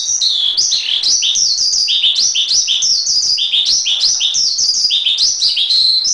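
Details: Javan pied starling song used to train other birds: clear, high whistled phrases, each sliding downward then jumping back up, repeated in quick succession over six seconds in a clean recording.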